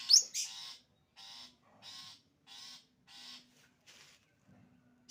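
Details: Long-tailed shrike sembur song: a sharp shrill squeal, then a series of harsh grating rasps, each about a third of a second, spaced roughly every 0.7 seconds and fading.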